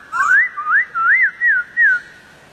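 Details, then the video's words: Wild White-crested Laughingthrush singing a run of five loud, clear whistled notes, each a smooth rising-then-falling slur, spaced about every 0.4 seconds against a quiet background. "Poksay jambul liar"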